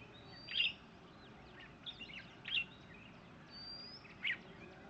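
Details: Red-whiskered Bulbul calling, recorded alongside a Grey Junglefowl: short, bright chirped notes spaced about a second or more apart, with a thin high whistle and a steady background hum.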